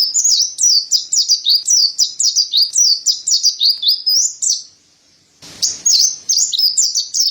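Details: Gacor song of a mountain white-eye, the white-breasted pleci used as masteran: a long string of quick high downslurred chirps, a second of silence, then the bright twittering resumes.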